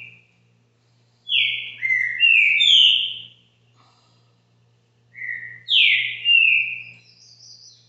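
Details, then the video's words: Green-winged saltator, a caged bird at a Brazilian home, singing two whistled phrases about four seconds apart, each made of three or four sliding notes, with a constant low hum underneath. "TRINCA FERRO CAXINGUELO BITOLA"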